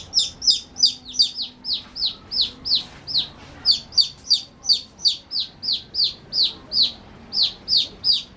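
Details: Playing baby chickens give steady high peeps that each drop sharply in pitch, roughly three a second, loud and continuous across the recording, with voices overlapping.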